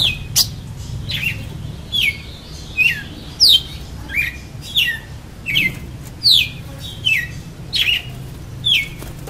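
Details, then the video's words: Red-cowled cardinal in face-to-face singing: a steady series of bright, downward-slurred whistles, roughly one per second, set against constant low background hum. "GALO DE CAMPINA CANTA DE CARA"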